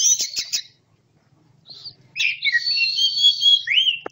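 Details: Classic-style 'teler' song of a caged orange-headed thrush in Malang: quick stuttered high notes, a short pause, then a long warbled, wavering whistled run ending in a falling slur and a click.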